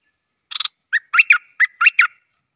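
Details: Stripe-throated bulbul, a newly trained decoy bird, sings a short phrase: a brief noisy rasp, then several bubbly, liquid notes in quick pairs, rising and falling.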